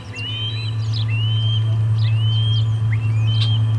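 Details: At the Charlo osprey nest, 23 August 2020, with the third fish of the day arriving: short bright upward-sweeping whistles repeat almost continuously against a droning background hum.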